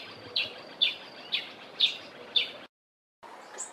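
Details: A Southern Double-collared Sunbird in a garden in the Eastern Cape, South Africa, gives five sharp, high chips about twice a second, then a short break and one thin, higher note, over faint background hiss.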